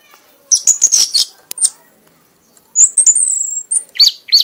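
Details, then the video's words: Red-whiskered bulbul (kanis merah), a prize-winning bird, singing in a frenzied, nonstop burst until worn out: high, sweet slurred whistles, one rapid cluster, a pause, then a longer run of thin whistled notes ending in upward flicks. "kanis merah bunyi sambil mabok sampai lemas"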